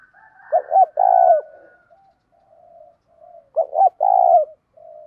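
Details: Spotted dove used as a decoy bird, cooing to provoke fighting: two low coo phrases, each a pair of short notes followed by a longer drawn-out buzzy coo, separated by soft faint murmurs in an otherwise quiet setting.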